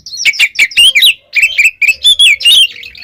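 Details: Gacor ngeplong song of an oriental magpie-robin: fast, clear whistled notes, each dropping or rising in a short slur, delivered in tight bursts with one short gap.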